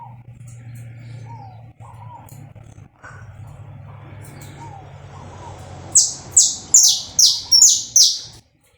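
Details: Live uncut saffron finch song meant to warm up a bird: several seconds of faint soft whistles over a steady low hum give way to six strong, high, down-slurred buzzy notes delivered in a rapid even series.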